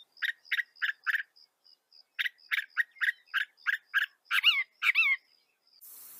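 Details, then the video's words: Northern mockingbird of North America: a string of about a dozen rough, repeated chattering notes at a steady pace, then two sweeping whistled notes, ending with a hiss. "Veja o canto do pássaro, ave zombeteira"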